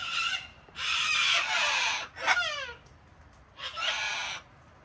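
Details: Wild cockatoos from a flock being hand-fed on a home deck in Australia in cold, wet winter weather: long harsh, broadband screeches, one sharp descending call between them, then another rasping screech after a pause.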